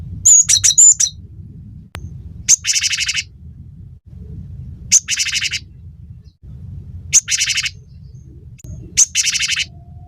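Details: Cinereous tit recorded for training songbirds and luring them to sing. A short run of high whistles opens, followed by four harsh, buzzy chattering bursts roughly every two seconds, with steady low hum beneath.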